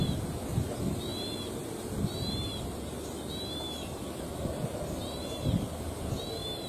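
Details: Plain prinia calling in the wild in rice fields, giving short high double-toned chirps repeated about once a second over a steady low rumble of background noise.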